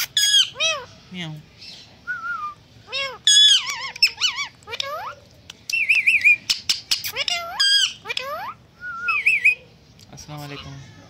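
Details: Pet Indian green ringneck parrots talking like humans: a long sequence of loud, harmonic, arched squawks and trilling wavering syllables in bursts, some short whistled glides, with brief gaps between phrases.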